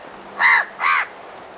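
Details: Two loud, rasping caws from a house crow, close and clear, given in quick succession against a quiet background.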